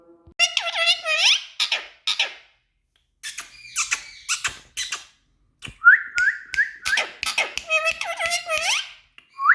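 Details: Indian ringneck parakeet talking: a run of squeaky, warbling and whistled syllables with clicks and pauses, some rising whistled notes near the middle.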